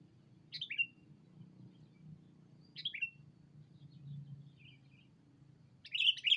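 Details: Sooty-headed bulbul calling a rival as a lure. Single sharp, downslurred chirps spaced about two seconds apart, ending in a denser chattering burst, with a low background rumble.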